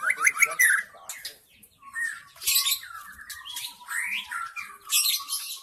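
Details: White-rumped shama lure sound from the wild forest: harsh, scratchy notes alternate with short whistled phrases in several bursts, backed by a faint steady tone.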